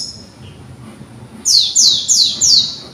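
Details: White-eye youngster learning its song gives four loud, high, descending chirps spaced about a quarter second apart, after a quiet opening second with faint low background noise.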